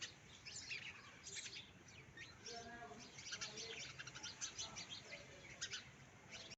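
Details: Small sparrows chirping outdoors, quick bursts of bright, high twittering notes tumbling over one another in clusters, steady over a quiet background with faint lower tonal sounds.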